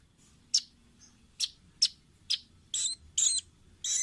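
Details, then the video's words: Velvet-fronted nuthatch, a clear training recording for caged birds: separate sharp high chips spaced about half a second apart, ending in longer harsh squeaky notes. "Masteran Ampuh burung rambatan paruh merah/masteran audio rambatan jernih mudah di tiru"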